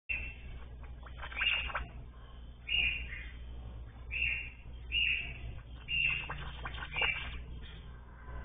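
A tanager gives six short, high chipping notes about once a second over a steady background hum and rustling.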